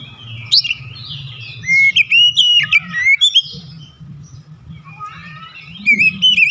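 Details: White-rumped shama singing a lure song: bright, sweeping whistles and rapid twisting phrases in short bursts, with pauses between, over a low background rumble.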